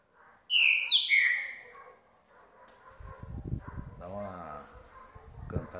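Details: Captive green-winged saltator, a young bird of about two and a half years from a champion line, singing in the fast 'Rock in Roll' style after a bath at 6 degrees: a loud phrase of slurred, falling whistles, then a man talking and handling noise.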